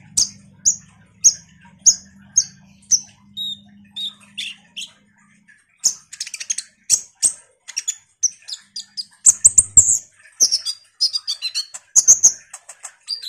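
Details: A common iora singing as a lure to make ninja sunbirds answer. It opens with evenly spaced high chips about every half second, then breaks into dense chattering with whistled slurs.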